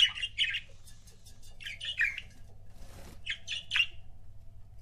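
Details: Pet budgerigar couples chirping: short bursts of harsh, scratchy chatter in three clusters, each a few rapid notes, with a brief rustle in between and a low steady hum underneath.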